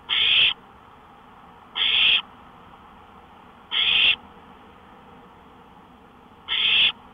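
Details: Owl calling at night from a porch, 1:53 AM on 5 May 2013. Four grating, hissy shrieks fall at uneven gaps of roughly two seconds, with a steady low background hum.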